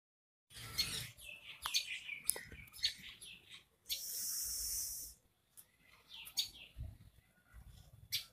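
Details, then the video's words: A tailorbird, an Indian bird, gives sharp, high chirping notes in quick irregular bursts, with a second of steady hiss interrupting midway. "Tailor bird's sound"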